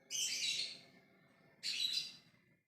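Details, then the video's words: Calling lovebird in ngekek style, aiming to draw a reply from others: two long grating squawks, the first lasting almost a second, the second starting near 1.6 seconds, over a low steady hum. "Love bird ngekek memanggil yg lainnya"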